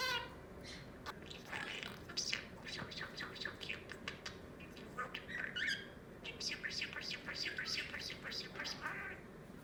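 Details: A pet budgerigar named Pearl chatters in fast, buzzy, high-pitched bursts of mimicked words like "super super smart" and warbles, with brief squeaky notes scattered through steady low background noise.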